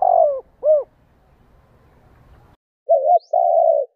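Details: Spotted dove cooing used to get captive doves calling, 'gù đảo nước' style: a falling coo and rounded arched note, a quiet stretch, then a cleaner wavering double hoot and a long steady coo.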